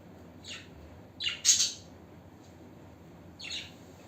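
Harsh, scratchy budgerigar squawks come in short bursts, with a louder double squawk in the middle.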